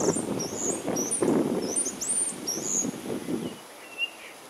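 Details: Common starling giving high, thin whistled notes that slide up and down in quick irregular bursts. A low rumbling background noise runs under the calls and stops after about three and a half seconds, leaving a few softer whistles.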